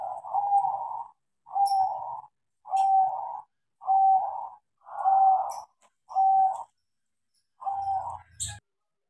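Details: Tame crossbred zebra dove, taught to sing, repeats short, even, buzzy coo notes about once a second, seven in a row, with a low thump near the end.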